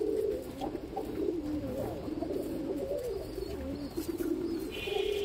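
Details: Continuous low pigeon cooing around an ash-coloured baby pigeon, with a few faint high chirps and a short buzzy sound at the end.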